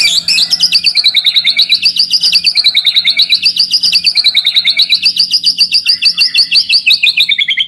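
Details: White-rumped shama song used to provoke rival birds and to test young birds: a dense, rapid stream of loud warbled notes rolling in a wavy line, nearly continuous for the whole stretch.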